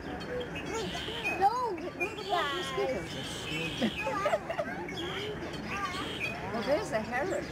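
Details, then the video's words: Lesser snow geese in huge flocks flying and swirling down over the Fraser River estuary at the George C. Reifel Migratory Bird Sanctuary, Delta, BC, Canada, on March 24, 2011; dense overlapping nasal honks under people talking. "Snow geese flying and honking"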